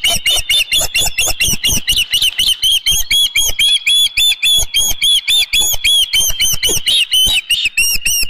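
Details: Osprey at its nest with a fish, Dunrovin Ranch, 19 May 2018, 4:38 PM, nest camera: a loud, rapid, unbroken run of sharp whistled chirps, about four per second, steady in pitch and slightly uneven in rhythm.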